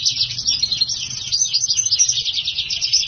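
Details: Caged black-hooded siskin x house finch hybrid singing a brisk, high, continuous twitter of rapidly alternating chirps, warbles and short buzzy trills.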